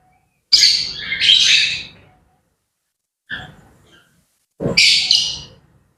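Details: Grey parrots calling in the morning, two harsh, loud squawk bursts at start and end with a softer short call between, separated by silences.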